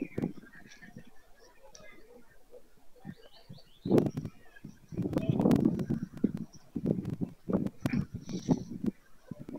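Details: Low, rasping white stork bursts close by at Madrigal de las Altas Torres, Spain, on 25 July 2024 at the close of the season. Quieter at first, then louder. Faint high chirps sit in the background.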